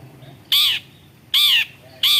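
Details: Long-tailed shrike (Lanius schach), or cendet, a bird said to copy other species' calls, utters three loud, harsh, rasping squawks, each about a quarter second long, with short silent gaps between.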